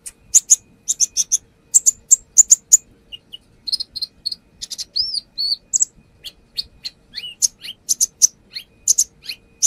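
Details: Lure song of a brown-throated sunbird singing intensely through its fill-in phrases: strings of high ticks, a few arched whistled notes midway, then varied rapid chips to the end.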